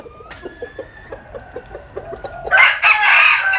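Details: Rooster in the Mekong Delta countryside of Vietnam, basking in the sun: soft rhythmic clucking pulses and faint thin tones, then a loud, harsh, rasping crow bursts in over the final second.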